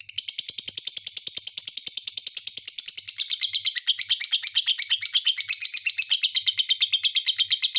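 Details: Lovebird singing a rapid, high, squeaky chatter of closely packed notes, sharp and rhythmic, running without pause and dipping slightly lower in pitch toward the end. Soft low knocks appear in the background.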